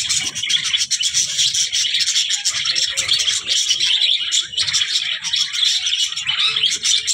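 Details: Budgerigar warbling in a long run of rapid scratchy chirps and clicks, with faint low rustling and knocking underneath.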